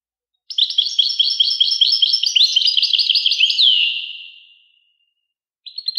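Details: One sustained phrase of European goldfinch song, a fast, bright run of liquid twitters and buzzy chips that ends in a sweeping note and echoes away, then a short new start.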